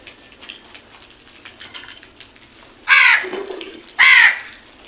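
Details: Group of crows: two loud, harsh caws near the end, each about a third of a second with stacked bands, after a quieter stretch of faint background calls.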